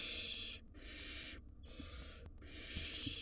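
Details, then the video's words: Five wild barn owl nestlings begging from their parents inside a nest box, giving drawn-out rasping hisses that last around a second each, three to four in quick succession with brief silences. "5 Noisy Barn Owl Nestlings Keep Their Parents on Their Toes"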